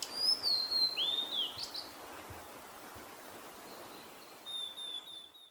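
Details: Male Blue-and-white flycatcher, Hyogo Prefecture's Kita-Harima area, Japan, responding to a female's call: a bright descending whistle curling into an upswept note, then near-silence before a fainter drawn-out whistled phrase, with steady outdoor hiss.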